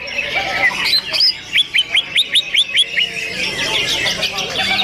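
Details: Cucak ijo in a simulated songbird competition crowded with singing birds: a quick run of about nine bright, upslurred whistles, flanked by dense chattering and whistled phrases from many other birds over a steady background hiss.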